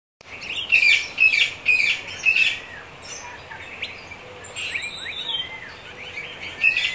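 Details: A lost male pet budgerigar, roaming for about a week with a group of sparrows around a house in Riverside, Windsor, Ontario, chatters with bright, rapid chirps and warbled notes, high-pitched and busy.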